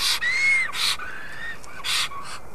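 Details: Black stork at its nest in Karula National Park, Estonia, greeting its arriving mate: rough, breathy hissing bursts roughly every second, with a thin whistled note rising slightly then falling.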